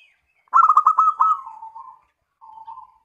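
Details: Local zebra dove song used as a lure to draw answers from other doves: a fast burst of stuttering staccato coos that runs into a longer, lower drawn-out coo, then a short separate trailing coo.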